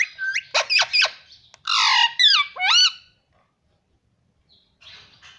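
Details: Talking pet parrot that keeps saying 'mummy': a quick burst of sharp clipped syllables, then a broad harsh squawk and two swooping notes, followed by near silence with faint rustling.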